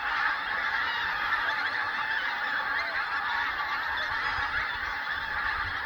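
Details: About four hundred Pink-footed Geese leaving their roost in early-morning darkness at Loch of Strathbeg wetland reserve in Scotland. A loud, steady wall of overlapping honks and yelps from the whole flock carries on without a break.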